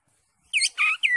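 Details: Green leafbird song for prompting a caged bird: a short trio of bending whistled notes, slightly softer and rougher than the loudest phrases.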